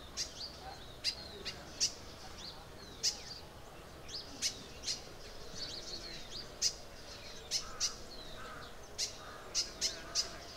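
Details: Crimson sunbird calling in Arunachal Pradesh: repeated short, piercing, high chips at irregular intervals, often close together in pairs or threes, with soft chirps and a low steady hum underneath.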